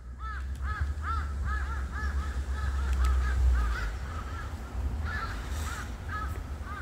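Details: A flock of crows in winter cold around a persimmon tree on a mountain caw together, harsh arched calls tumbling over one another about three times a second, over a steady low rumble, while cats are fed nearby.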